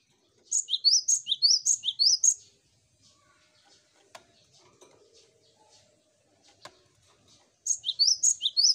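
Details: Cinereous tit song used as a lure to get other birds singing quickly: two bursts of high, rapid repeated notes, each a sharp rising-then-falling pair, with a quiet pause and faint clicks between.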